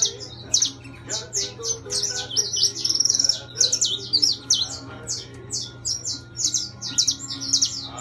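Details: Saffron finch, intense yellow, kept as a cage bird, singing a lively stream of high sharp chirps and trilled notes, roughly two per second, over a faint hum and murmur.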